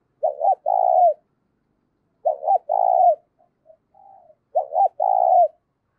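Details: Spotted dove with a strong, clear voice, recorded to stir up decoy doves. Three evenly spaced low phrases, each a short double note followed by a sustained coo, with soft quiet notes between them.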